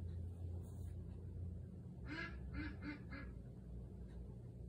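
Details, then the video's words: A 50-day-old Cayuga domestic duck on a patio, looking for and calling its owner who is indoors, gives a quick run of four nasal quacks, each a fraction of a second apart, over a steady low rumble. "Zera is calling me"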